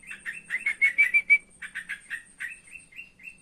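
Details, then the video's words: Trotokan calling during the evening, a run of loud, quick chirps that climb into ringing whistled notes, then slower, softer chirps spaced about a quarter second apart. "burung Trotokan nrotok sore sore"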